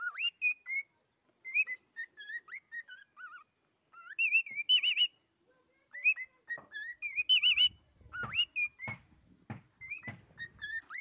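A cockatiel whistles a run of rising and warbling notes, with some buzzy chatter and a few sharp clicks or taps near the end.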